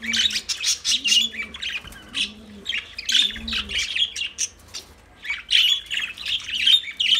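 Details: Lovebirds singing: rapid bursts of shrill, high chirps and squeaky twitters in dense clusters with short pauses, and soft low dove-like coos faintly underneath in the first half.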